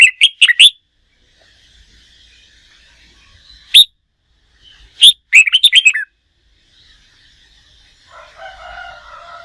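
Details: Red-whiskered bulbul, a newly wild-caught bird, used for contest-singing training: loud, clipped whistled phrases of five or six quick notes, a lone sharp note near four seconds, another rapid phrase, then faint lower warbling at the end.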